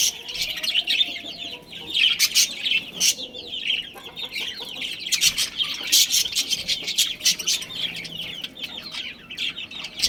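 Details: A budgerigar colony with a breeding pair keeps up a busy chorus of chattering, warbled chirps and scratchy squawks, overlapping calls filling the whole stretch with brief louder bursts.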